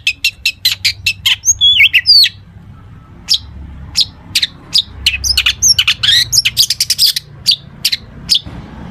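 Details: Long-tailed shrike singing 'full isian', played so other shrikes answer: rapid high ticking notes, a twisting whistled phrase, then irregular bursts of sharp chips and quick chattering runs over a low background hum.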